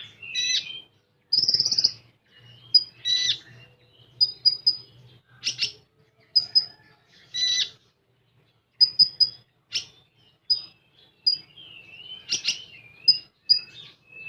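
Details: Common iora in full tembakan song: scattered sharp high whistles and short rasping bursts, later quick paired notes and wavering slurred phrases, with a low steady hum beneath early on.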